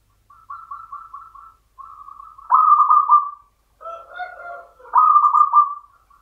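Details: A full phrase from a contest-winning local zebra dove in the Mataram rhythm style: a quick run of soft stuttering notes, a smooth note, then two loud rolling coos, with a lower tone alongside the second.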